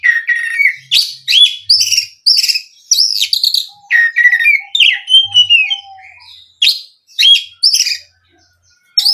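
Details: Oriental magpie-robin singing a lure to spur other magpie-robins into full song: rapid, richly varied phrases of high whistles, sharp chips and slurred notes, nearly continuous, with a brief series of soft low whistles midway.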